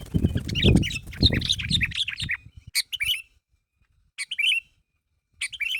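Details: Sooty-headed bulbul calling to draw replies from other bulbuls: chirping phrases over a loud low rumbling noise at first, then isolated sharp chirp bursts spaced by quiet gaps.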